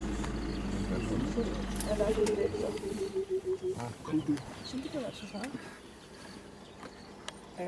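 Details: Burchell's coucal ('rain bird'), in an unusual calling, Pilanesberg National Park, South Africa, 29 December 2016: a low, hollow bubbling series of rapid hooting notes tumbling down in pitch, with a low rumble at the start.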